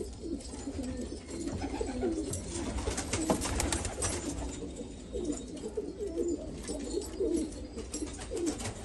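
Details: Several low, throaty coos from black Afghan pigeons in Afghanistan, repeated in rolling phrases over a rumbling background with occasional sharp knocks.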